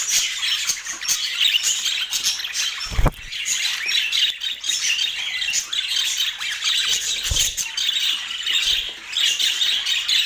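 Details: Pet budgies in Portland twittering nonstop in a high, raspy, crowded chatter, broken by two dull low thuds around three and seven seconds in.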